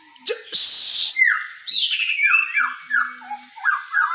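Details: Young White-rumped shama singing while bowing. A loud rushing burst opens, then a series of clear whistled notes sliding downward, each about half a second apart, with fainter higher flourishes.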